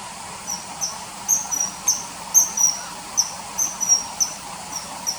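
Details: A common kingfisher, its calls added to river footage from early September 2020, gives short high-pitched whistles, some slightly drawn out, spaced irregularly about every half second.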